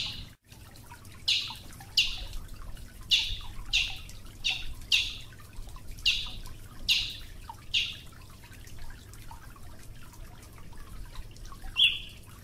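A Brazilian Tanager gives a series of short, harsh, high notes, each sliding downward, repeated irregularly about once a second over a steady low rumble.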